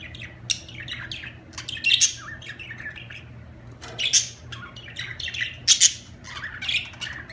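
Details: Budgerigars giving rapid squeaky chatter with sharp scratchy squawks, a short lull near three and a half seconds, then renewed bursts of warbling and harsh notes over a quiet hum.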